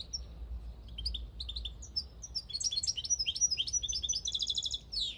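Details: A countryside European goldfinch recorded in 2022 builds from sparse chirps into a loud, rapid liquid twitter. A quick repeated trill and a falling slur close the song, with low background rumble throughout.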